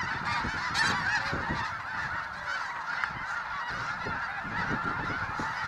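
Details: A huge frightened flock of snow geese, over 20,000 birds, taking off from grazing at a refuge and flying low: unbroken layered honks and yelps with a whooshing wing noise.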